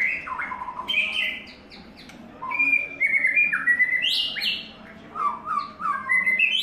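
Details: White-rumped shama in its third molt, singing a varied run of clear whistled phrases, some sliding down and others rising sharply, with brief quieter gaps between bursts and a faint low hum behind.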